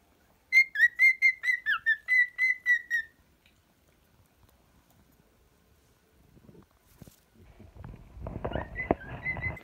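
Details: Domestic cockatiel sings a brisk string of about eleven short whistled notes, steady in pitch with one downward slur. Silence follows, then rustling and handling noise with faint whistles at the end.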